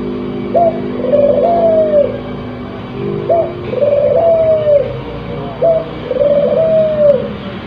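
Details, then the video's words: Spotted dove in breeding condition, softer and more distant: three cooing phrases, each a short upward note then a long slightly falling trilled coo, spaced about two and a half seconds apart over low background hum. "Suara Burung Puter yang Memukau"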